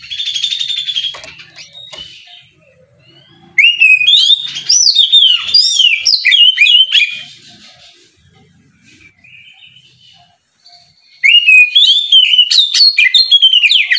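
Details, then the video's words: Oriental magpie-robin in ngeplong style in the morning, challenging rivals to answer: three loud bursts of varied whistled and chattering phrases, separated by quieter pauses of soft warbling. "Kicau suara burung Kacer ngeplong memancing lawan di pagi hari, sekali dengar langsung nyaut!"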